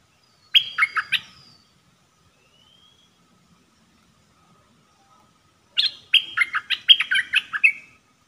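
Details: Decoy red-whiskered bulbul kept in a cage for trapping birds, singing two bright bursts of quick, warbled chirps. A short phrase is followed by a longer, more varied one about five seconds later, over a quiet background.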